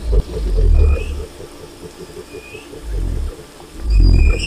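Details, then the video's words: Wild cassowary producing deep drawn-out booms at the start and end, with a quieter low rumble between; faint rising whistles from other birds overhead. "O Canto do Casuar Selvagem"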